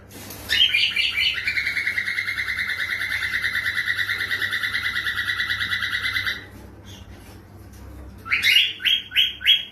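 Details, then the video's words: Pet cockatiel singing without rhythm: opening chirps lead into a long, evenly pulsed buzzy warble sustained for about five seconds, then a quiet gap and a run of short rising whistled chirps. "آواز عروس هلندی بدون ریتم😄Cockatiel Singing Without Rhythm"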